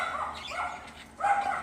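A myna imitates human speech: two brief, voice-like phrases with a mid-pitched, slightly nasal tone; the second comes louder and clearer, with no other sounds.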